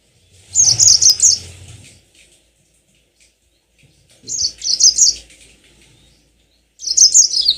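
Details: Yellow-fronted canary singing a lure song meant to prompt long rolling song: three high, fast trilled phrases of about one and a half seconds each, separated by pauses of two to three seconds, with faint low rumble.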